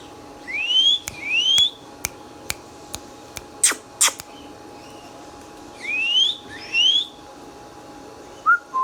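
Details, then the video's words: Green Indian ringneck talking parrot: pairs of clear upward-sweeping whistles, separated by a run of regular sharp clicks and two loud snaps, with a short low whistle at the end. "Indian Ringneck Funny Parrot Sounds"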